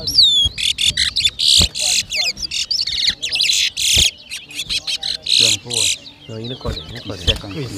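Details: Towa towa (seed finch) whistling in a competition at New Amsterdam, Guyana, 2023. An intense, almost unbroken stream of loud buzzy and whistled phrases. Lower, rippling, voice-like sounds join near the end.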